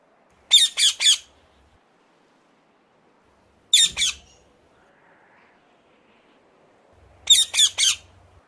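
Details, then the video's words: Ring-necked parakeet uttering short clusters of strident, squawking notes, three, then two, then three, spaced by pauses of a few seconds. "ring neck parrot calling song"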